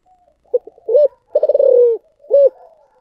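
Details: A single giọng thổ sấm phrase from a spotted dove: short stuttering lead-in notes, a hollow coo, then a long rapidly pulsed rolling coo drifting downward, ending on one clear rounded coo.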